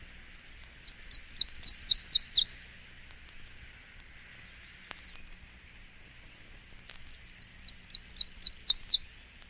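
Yellow-throated Warbler singing twice: a quick run of clear, high, slurred notes that tumble downward over two seconds, with a faint hiss between the songs.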